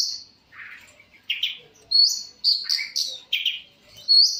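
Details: A long-tailed shrike sings a varied phrase that starts softly with a low, scratchy note and moves into loud, rising whistles and short chattering bursts.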